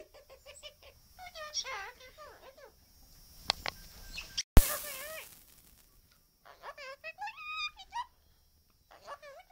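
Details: Hand-reared pet Australian king parrot that loves a chat; bursts of quick, voice-like chattering syllables separated by pauses, a sharp click midway, then more rising and falling talk.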